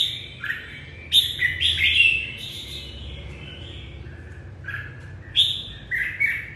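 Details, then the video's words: Morning song of a red-whiskered bulbul greeting the new day, a cluster of loud warbled whistles around one second in, then quieter slurred notes and a final pair of clear phrases. "Chào mào hót chào ngày mới"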